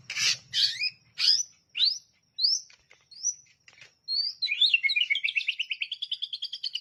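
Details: White-rumped shama (murai batu) fighter-style song kept as a training master: harsh scratchy notes, then upslurred clear whistles spaced about half a second apart, ending in a rapid buzzy trill of quick repeated notes.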